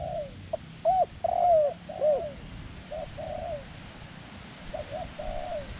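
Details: Thai trapping decoy dove calling to draw in wild doves. Loud, ringing arched coos open the clip, then a run of softer, muffled falling coos at an uneven pace.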